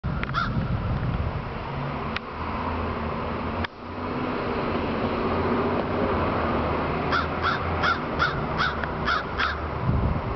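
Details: A crow in downtown Fargo gives harsh caws, one near the start and then a quick run of about eight near the end, over steady low traffic rumble.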